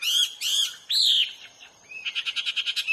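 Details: Hwamei singing in the wild: loud clear whistled phrases, some slurred and rising, then a fast run of about eleven repeated short notes at the end.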